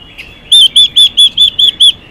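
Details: Female Chinese hwamei call intended to rouse males: seven loud, evenly spaced arched whistles, each clipped short and repeated about five times a second, on near-silent background.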